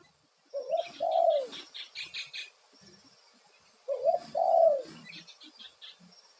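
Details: Spotted dove giving a loud lure call in the one-note kuk satu style, played to draw wild doves into responding. Two deep coos sound, each a short rising note then a long, drawn-out downslurred hoot. A bird chirps rapidly and high behind them.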